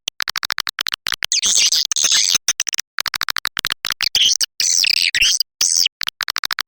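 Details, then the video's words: Edible-nest swiftlet calling sound for luring birds: rapid clicks in quick series, broken by longer bursts of shrill, wavering twittering, with abrupt silences separating the sections. "Suara Panggil Burung Walet"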